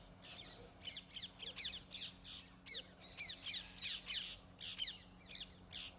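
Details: Cheeky rose-ringed parakeets in Gurugram, India, give a rapid series of harsh, high, screeching squawks, about three each second, with a faint steady hum underneath.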